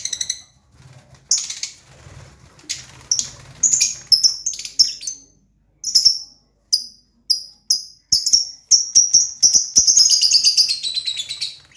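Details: Lovebird song: a lively string of sharp, high chirps and clicks, irregular at first and about two per second, building to a continuous fast chattering trill near the end; quiet low hum in the background.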